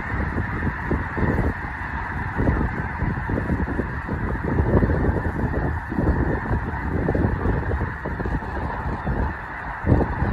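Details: A few thousand wild snow geese at Loess Bluff National Wildlife Refuge in northwest Missouri in fall, a dense cacophony of overlapping honks and yelps forming a continuous roar with no pauses.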